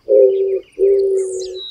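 An Eared Dove gives two low, steady hooting coos, each about half a second long, followed by faint high chirps from other birds.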